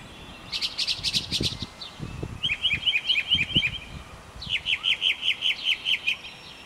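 A mockingbird sings three quick phrases, each a bright note repeated six to eight times before switching to a new one. A soft low rumble sits underneath.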